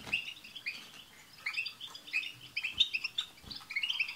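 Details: Group of European goldfinches in twittering chorus with tsts calls, used to prompt a pet goldfinch to sing; soft, fairly quiet run of rapid high chirps and trills, slightly denser toward the end.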